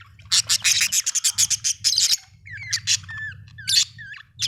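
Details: Budgerigar chirping in fast, rhythmic bursts of harsh, high chatter followed by sliding, whistled rising and falling notes, with a steady low hum in the background.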